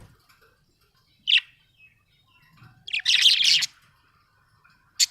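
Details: Budgerigar described as happy, giving a short high chirp, then a longer scratchy warbling burst about three seconds in, and another brief chirp at the end, with quiet pauses between.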